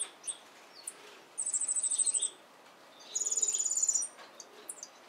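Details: A yellow-faced grassquit singing while opening its wings gives two very high, thin, buzzy trills, each about a second long of rapid even pulses, with faint scattered chips between.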